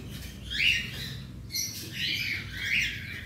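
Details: Cockatiels in a colony aviary of about 100 birds, heard during routine cage cleaning: harsh, rising squawks repeated three times over a few seconds, with a steady low background hum.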